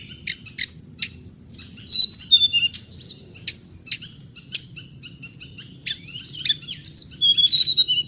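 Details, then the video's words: Hồng hạnh bird singing scattered sharp chirps, then dense bursts of high, warbling whistles and fluting slurs, over a constant thin whine and faint low hum. "suab noog txiv leev lau2 tiếng chim hồng hạnh"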